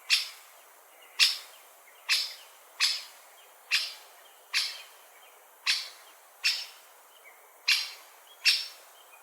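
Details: Great spotted woodpecker calling: short, sharp, clicky notes spread broadly across the upper range, given singly at irregular intervals of roughly one second, eleven calls in all, over a quiet background.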